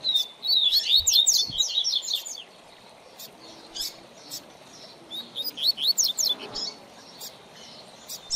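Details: Young seedeater (coleiro or papa-capim) being trained in song: a lively burst of quick high chirps and slurred notes opens, followed by a pause with clicks, then a shorter twittering phrase and further scattered ticks.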